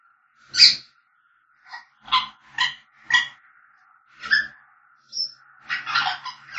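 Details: African grey parrot singing: one loud squawk followed by a string of short clipped whistles and chirps, a thin high whistle, then a dense burst of rough chatter.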